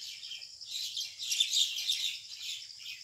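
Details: Common mynas fighting over a nest hole in a date palm trunk in a rural area, 6 May 2021 at 6 pm; dense harsh, raspy chattering and screeches, overlapping and continuous, louder bursts in the middle.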